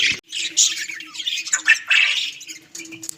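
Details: Pet budgerigars in a home giving a busy run of scratchy chirps, squawks and warbled notes, a short pause near the start, then steady chatter over a low indoor hum.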